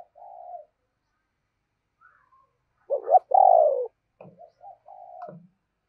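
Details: A caged spotted dove kept as a lure gives its deep booming call: a soft low coo, a brief pause, then a sharp note and a loud, long, rolling coo, followed by quiet low notes and a fading coo.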